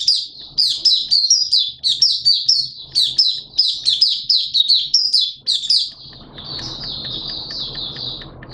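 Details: Malaysian oriental white-eye, kept as a hobby songbird, in open singing: rapid high chirpy phrases, sweet warbled notes tumbling quickly one after another, ending in a softer trilling run over faint low background hum.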